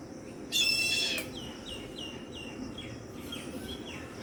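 Young Indian grey hornbills give one harsh, buzzy squawk, then a run of seven thin, high, down-slurred squeaks about every half second.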